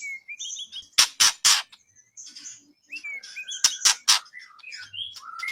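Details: White-rumped shama contest-training song: varied whistled phrases with rising and falling slurs, interrupted by loud harsh rasping bursts in two groups of three.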